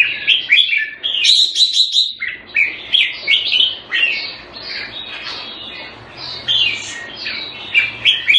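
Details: Red-whiskered bulbul kept caged in Singapore in the Thai manner, February 2018: loud, rich warbling song of rapid whistled notes, a bright trilled flourish early on, then rhythmic repeated phrases roughly every half second.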